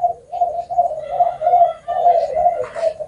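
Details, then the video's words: Spotted dove cooing in a song style with a long ending of nine to ten notes or more; low, hollow coos run in a steady series of short rounded notes with brief dips between them. "Cu gáy hậu 9 10 trở lên"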